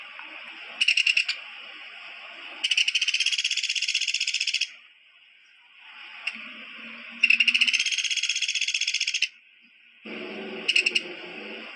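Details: Woodpecker giving repeated harsh, rapidly pulsed rattles, each lasting about two seconds, with brief short bursts between them and a constant high background hiss.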